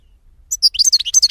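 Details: European goldfinch song recorded in 2016: after half a second of quiet, a short burst of high, rapid twittering with sharp chips and brief trills.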